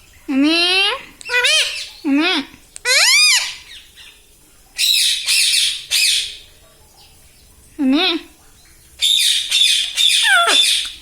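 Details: Talking pet parrot in a small room, said to repeat 'mummy papa' and 'mithu', produces loud, nasal, speech-like syllables with bending pitch in separate bursts of about a second, some harsh and rasping, with silent gaps between.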